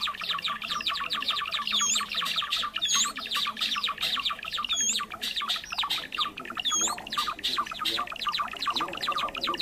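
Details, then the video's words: Java sparrow lure for trapping: rapid ticking and chipping notes throughout, punctuated by short high whistled curls about every one to two seconds. "SUARA PIKAT BURUNG GELATIK JAWA"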